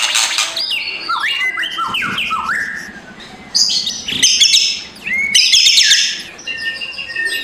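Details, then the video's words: White-rumped shama, morning provoking track in rough crackling kretekan style: varied whistled phrases, downward-slurred notes and sharp high chatter, over a faint low hum in the background. "MURAI BATU LANGSUNG NGEGASS KRETEKAN K4SAR SUARA RAME || Memancing emosi murai batu malas bunyi"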